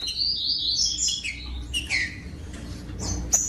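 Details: Captive rufous-bellied thrush song used to warm up and stimulate other caged thrushes: clear whistled phrases, several slurring downward, delivered in quick succession with short gaps, over a faint low hum.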